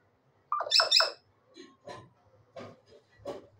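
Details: A talking common hill myna gives two loud, harsh, bright squawk-like syllables, then a series of softer, murmured, speech-like syllables spaced roughly half a second apart, with faint background hum.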